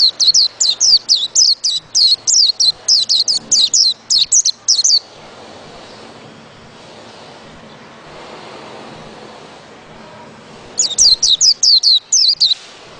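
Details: White-eye pouring out a fast series of high, thin, descending notes for about five seconds, roughly four per second, then silence, then another quick burst of similar notes; light background noise.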